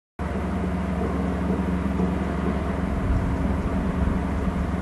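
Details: Continuous low rumble of engine or traffic noise, with no animal calls.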